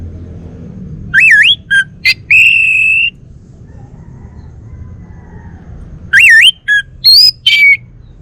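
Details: Caged male Bali orange-headed thrush from North Bali, Singaraja, giving varied loud whistled phrases: a swooping rising note, short clipped notes and a long steady whistle, then a second burst with higher looping notes about three seconds later.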